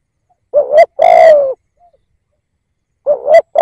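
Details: Decoy spotted dove for luring wild birds: one full coo phrase, a short note rising into a longer, mellow falling coo, then a pause and the start of the next phrase.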